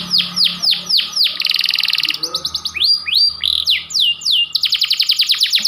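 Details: White panda canary in song, used as a training recording for young canaries: steep falling whistles, a buzzy rattling trill, varied upslurs and a rapid repeated chip series at the end.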